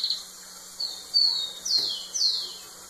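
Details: Rufous-collared sparrow singing to a female: a short series of high, down-slurred whistles spaced about half a second apart, over a steady background hiss and low hum.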